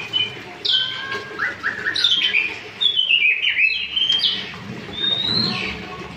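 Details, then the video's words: White-rumped shama, a young bird learning to sing, giving separated bursts of whistled phrases, some sweeping downward and some rising, with brief pauses between them. "Baru belajar sudah gacor....murai gacor"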